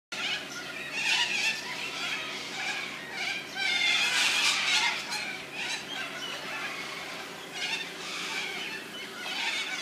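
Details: A flock of up to 100 corellas in Landcox Park, Brighton East, in June 2013 gives harsh, grating screeches, overlapping and nearly constant, rising in bursts of shrill noise.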